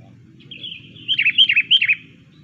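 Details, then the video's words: Sooty-headed bulbul singing a bird-trapping lure song, a loud, clear run of short bubbly warbled notes lasting about a second, over a faint low hum. "PIKAT BURUNG KUTILANG CENGKERAM"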